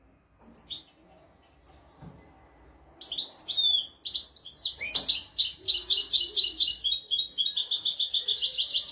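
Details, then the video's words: European goldfinch song as a tutor for young goldfinches and canaries: scattered sharp chirps build into a dense, continuous twittering trill with rapid repeated notes lasting several seconds. "تغريد طائر الحسون ملكي حفاضة لتعليم طيور الحسون والكناري بدون أخطاء"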